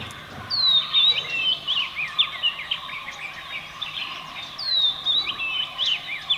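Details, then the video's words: Oriental magpie-robin singing rich, varied phrases, each opening with a clear falling whistle, then running into quick warbled and chirped notes over a faint steady hum. "Oriental Magpie Robin singing"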